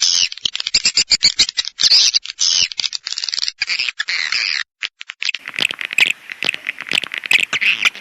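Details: Swiftlet twitter of fast, high, buzzy chirps breaks off after a brief pause and resumes as lower, rougher chattering notes for the final seconds.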